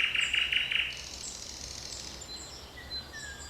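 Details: Forest birds on 7 May 2020: a short series of four loud buzzy notes at the start, followed by faint high whistles and slurred notes from other birds farther away.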